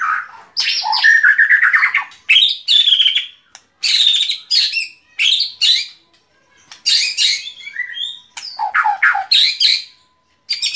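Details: White-rumped shama song in loud separate bursts: rich whistles, slurred rising and falling notes and chattering segments, with short silences between phrases.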